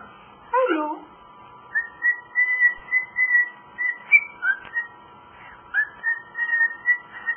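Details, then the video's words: Pet cockatiel whistling its own rendition of Jingle Bells: a quick scratchy opening note, then a run of clear, evenly spaced whistled notes, mostly level with a few higher and dipping ones, over a faint steady hum. "talking and singing jingle bells"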